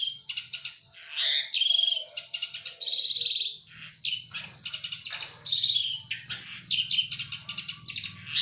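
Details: Eurasian tree sparrows fighting, with near-continuous harsh chirping and rapid buzzy chatter over a low steady hum.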